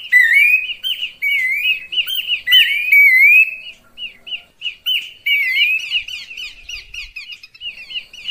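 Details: Horsfield's babbler lure call meant to draw birds in: loud, dense rising whistled phrases in the first half, then a quicker string of short clipped notes with sharp buzzy overtones.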